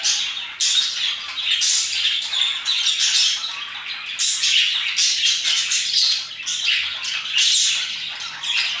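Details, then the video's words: Parakeets chirping and singing heartily at about 2pm, a continuous flock chatter of harsh, high squawks and quick chirps layered over one another without a break. "Parakeets chirping and singing their hearts out"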